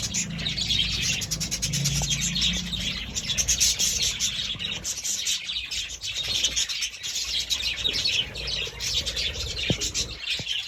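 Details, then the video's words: Budgerigar chattering steadily with fast, twittering high chirps, a busy, unbroken stream of tweets over a low background hum. "Budgie parrot"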